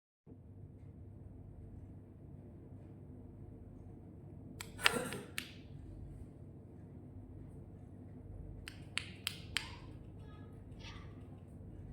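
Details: Quiet indoor room tone with a few sharp taps, thuds and brief broadband clicks, and no animal voice.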